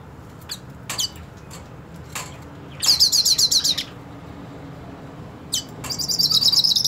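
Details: Purebred hooded siskin challenging another hooded siskin: scattered short high chips, then two bursts of a bright, rapidly repeated buzzy trill about a second long, with quiet gaps between.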